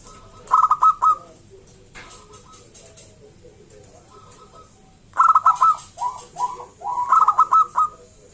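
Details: Local zebra dove in vigorous song, used to draw other zebra doves to call: three loud bursts of quick, clipped coo notes, each burst a rattling series of four to six pulses, separated by quieter gaps with faint cooing.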